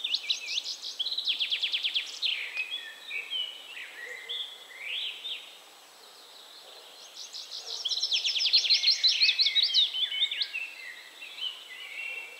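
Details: Willow warbler song at 51.947828, 20.120565: high, sweet phrases of quick repeated notes sliding gently downward, given twice with a pause between.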